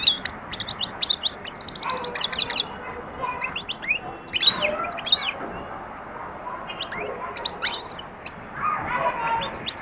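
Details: European goldfinch starting to sing and attack, giving scattered high, thin chirps and a short buzzy rattled phrase, then loose twittering notes with pauses between bursts.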